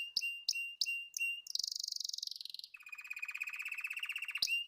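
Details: Canary singing four spaced sharp chip notes, then a high fast trill. A lower, longer rolling buzzy trill follows, ending on another sharp note.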